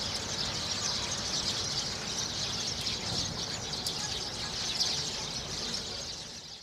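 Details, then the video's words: A flock of sparrows chattering together; thick, continuous high chirping from many birds at once, a few sharper notes standing out, the chorus fading slightly at the end. "Воробьиная тусовка Sparrow party"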